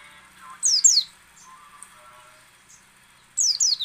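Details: Pairs of sharp, high downslurred whistles from a white-eye, a soft faint chirp between, then another twin slur at the end; played to get other white-eyes singing.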